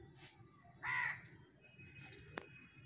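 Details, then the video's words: Crow calling in a duet with a parrot: one loud, harsh caw in the middle of the recording, a few faint calls around it and a sharp click near the end. "parrot and crow duet..कौआ और तोता"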